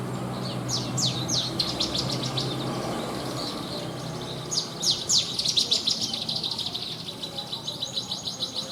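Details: Horsfield's bush lark, a contest-quality branjangan, delivers its mimicry-filled 'isian' song: bursts of quick high down-swept notes, then a dense rattling trill and a rising buzzy phrase, with a clean quiet background.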